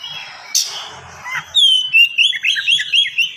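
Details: Oriental magpie-robin singing fast and packed, used as training song for other magpie-robins; a rough noisy burst, then a long run of sweet whistled notes and quick chips, about four per second.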